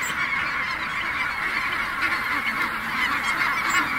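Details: Snow geese taking flight at Merced refuge: a dense, continuous chorus of many overlapping nasal honks and yelps from a large flock, forming a steady wall of sound without pauses.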